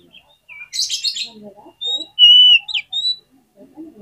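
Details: Oriental magpie-robin singing, as a lure to get other magpie-robins singing. A harsh buzzy burst opens, then a string of pure high whistles, one loud and steady, ending in a quick twisted note.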